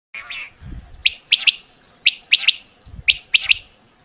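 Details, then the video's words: Quail calling, a sound used for hunting: sharp, high clipped notes in pairs and triplets, repeated roughly once a second, with soft low thumps between phrases. "Batair vioce"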